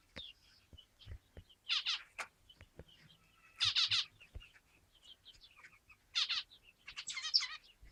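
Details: Zebra finches calling together: repeated short nasal, buzzy bursts every second or two, mixed with scattered high chirps and soft clicks.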